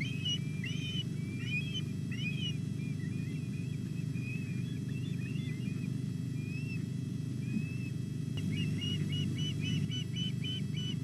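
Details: Osprey chicks calling as the female arrives with a large whole fish at Llyn Clywedog, Wales, 06:40 on 27 July; whistled chirps fading in the middle, then a rapid burst of short piping notes near the end, with steady low hum.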